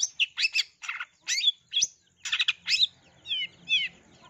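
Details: Long-tailed shrike singing mimicry song with sparrow-like fill to trigger song in other shrikes: burry harsh chirps about once a second, ending in two downslurred whistled phrases, faint low hum behind.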